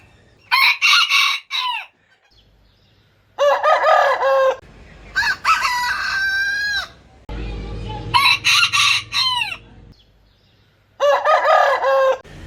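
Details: Various roosters crowing in turn: five separate loud crows over twelve seconds with quiet gaps between. Some end in a long level note, one in a falling slur, with a low hum partway through.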